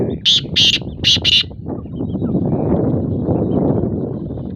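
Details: Two male black francolins calling in competition early in the season: four loud, harsh, grating notes in quick succession, followed by a steady rumbling background noise.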